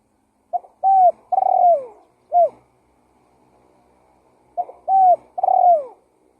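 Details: Spotted dove lure call: clear mellow cooing phrases of short coos ending in a longer downslurred note, given in two bursts separated by a quiet pause of about two seconds.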